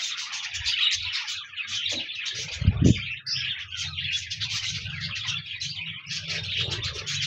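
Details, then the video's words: Pet budgerigars warble and chirp in a crowded, lively jumble, intended to get a solitary pet budgie singing, over a noticeable low rumbling hum and a loud thud near the three-second mark. "No more lonely budgies. Pet parakeets encourage your bird to sing"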